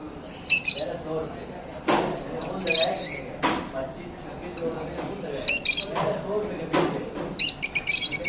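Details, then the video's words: Pet lovebirds in an aviary give short bright chirping bursts in clusters, with quieter squawks and low murmuring in between. "Lovebird Singing & Chirping Sounds | love birds sounds"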